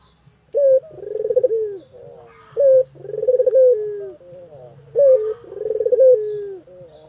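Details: Home-kept Barbary dove cooing vigorously, giving three phrases, each a brief sharp note and then a rolling, throbbing coo that trails down in pitch, with quiet gaps between and faint low hum.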